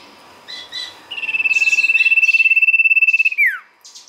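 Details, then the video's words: Lure song of a sirtu: a few soft high chirps, then a long, fast, steady trill held on one high pitch for about two seconds that ends in a quick falling slur. "pancingan sirtu gacor"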